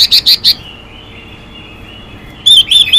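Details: Female Chinese hwamei calling to rouse male birds: four loud, high, slightly harsh notes in quick succession, a pause, then a second burst of similar rapid notes.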